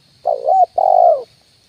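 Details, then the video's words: Spotted dove call used as a decoy to lure wild birds, a single-note style call: one low two-part coo, a short dipping note followed by a longer steady hooting note, clean with a faint steady background tone. "SUARA PANCINGAN BURUNG TEKUKUR,KUK 1 DI RANTING &TANAH"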